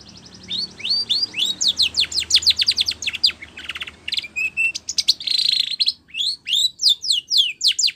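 A Spanish Timbrado canary sings a rapid, high, continuous song of sweeping upslurred notes and buzzy rolling trills, with hardly a pause.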